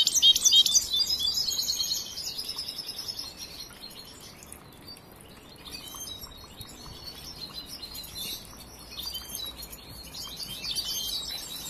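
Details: Young European goldfinch still in training, song not yet finished: a loud burst of rapid, high, tinkling twitter for two seconds, then quieter broken chirps and trills, swelling again near the end, over faint background hiss.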